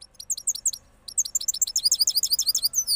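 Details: After moulting, a cross goldfinch from Parachinar delivers rolling song, fast high liquid twitters in two rushed phrases separated by a brief pause, notes tumbling closer together toward the end.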